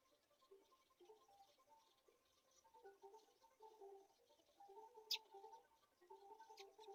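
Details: Black-shouldered kite chicks, around feeding on a mouse, give thin, wavering whistled whines almost without a break, rising and falling in pitch, with a sharp click partway through.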